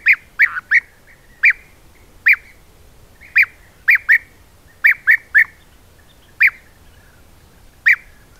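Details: European bee-eaters from a colony of about 20–30 birds visiting an apiary at Corte Franca, Italy, caught on a camera trap, give short, liquid, rolling 'prrip' notes, singly or in quick pairs, about fourteen in eight seconds, against a quiet background.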